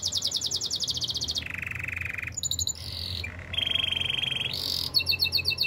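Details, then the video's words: Canary singing a series of changing tours: a high rapid trill, a lower steady buzzy roll, brief shifts in pitch, and a return to quick high repeated notes. "Super relaxing canary birds sounds"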